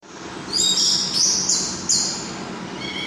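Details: Red-headed myzomela in full, lively song: high, thin, sustained whistled notes in two or three drawn-out phrases, then softer short tones, over a steady low background hum.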